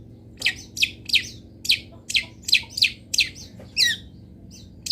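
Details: Long-tailed shrike (cendet) song of a local type: sharp downslurred notes repeated about every half second, steady and high-pitched, with a faint low hum behind.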